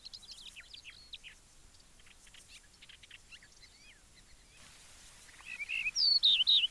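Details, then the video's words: Yellow-breasted bunting outdoors: near the end a loud phrase of a few short repeated whistles breaks into high, wavering slurred notes. It follows several seconds of faint chirping and twittering from other birds. "Как поет дубровник (Emberiza aureola)"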